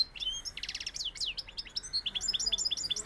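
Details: Seville-style European goldfinch delivering fast, high tinkling song: a rattling buzzy series, then sweeping slurred notes and quick repeated chirps.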